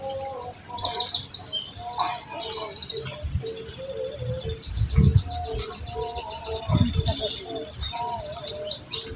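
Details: Olive-backed sunbird 'tembakan' song meant to excite untrained birds: dense jumble of high twittering chips and brief buzzes, with soft low thumps and background noise.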